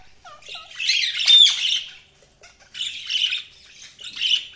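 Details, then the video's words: Budgerigars chirping: bursts of bright, scratchy chatter and short squawks, a loud burst near the start, then two further chattering phrases after a brief pause. "budgies chirping sound"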